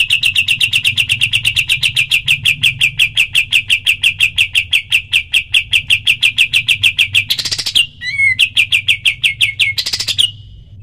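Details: Cotton pygmy goose, recorded as a training call for other birds, giving rapid high 'shot' notes repeated about three times a second in a long even run, with a brief louder burst and a short gap near the end.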